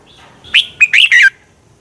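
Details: Red-whiskered bulbul giving a morning fighting song used as a decoy to train birds: a quiet whistled lead-in, then four loud, quick, slurred notes, the last falling, over a calm background.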